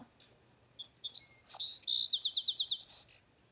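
Song Sparrow song: a few sharp introductory notes, then a bright buzzy trill of about eight rapid, evenly spaced notes, ending in a short high flourish.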